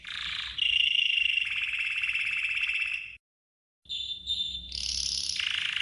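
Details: Red canary training song with a loud sustained buzzy roll, a brief silence, then high whistled notes and a shrill rising trill before dropping back to a lower rattle.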